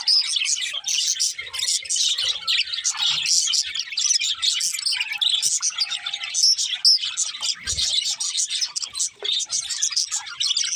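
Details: Several budgies chirping in a long, busy stream of high twitters, chirrups and warbled phrases that overlap constantly, with occasional brighter squeaks and a low bump near the end.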